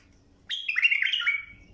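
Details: Bulbul song for teaching young birds: a single fluty phrase, a quick rising note leading into a warbled, slightly descending run lasting about a second.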